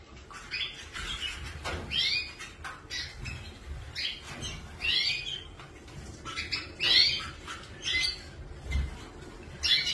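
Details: Canary birds giving short bright chirps and rapid twittering phrases in bursts of about one second, high and slightly buzzy, with quiet pauses between and faint low rustling or wing flutter underneath.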